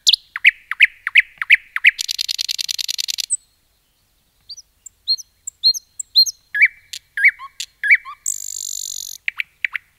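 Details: Common nightingale singing in a forest: a string of repeated downslurred notes, a rapid buzzy rattle, a brief silence, scattered high thin notes, and a final dense buzzy phrase.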